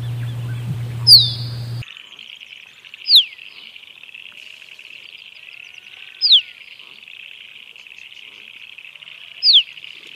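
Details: Musk duck: a high, sharply descending whistle about every three seconds; a low hum and thump open the recording, then the whistles continue over a steady high insect-like buzz.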